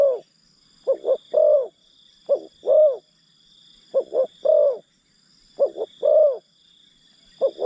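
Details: Spotted dove used as a decoy to lure wild forest birds, giving repeated three-part coos: two quick short notes then a longer falling coo, roughly every 1.5 seconds, over a steady high-pitched background whine.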